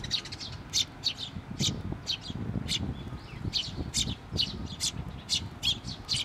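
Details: Young bird on a post at a shrine calling as its parent returns, 16 May 2023; quick high chirps, a fast cluster at the start, then spaced notes, over noticeable low-frequency background noise.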